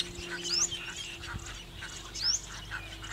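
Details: Asian Pied Starling at Bang Khaem Fish Ponds, a freshwater wetland in Nakhon Pathom province near Bangkok, Thailand, in June, mimicking a woodpecker's pip (first taken for Freckle-breasted Woodpecker): two sharp, high, upward-flicked notes over softer chattering and a low hum.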